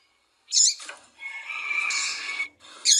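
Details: Female double-collared seedeater calling and peeping to stimulate a cold male into song: a sharp high chirp, then a long, steady, buzzy trill of over a second, ending with another bright chirp.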